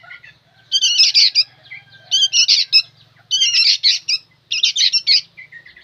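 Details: Young sooty-headed bulbuls calling noisily: four bursts of harsh, scratchy chattering, each about half a second long, repeating roughly every 1.3 seconds, with faint low hum underneath.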